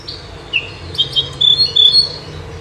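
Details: Common nightingale, a bird said to sing both day and night, giving short clear whistled notes and brief trills high in pitch, several bursts spaced across a couple of seconds over a low background hum.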